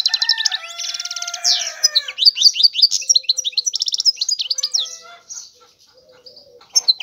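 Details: A European goldfinch sings a fast, jingling medley: a buzzy rattling trill, then quick slurred whistles and chirps tumbling one after another, fading into softer scattered notes near the end.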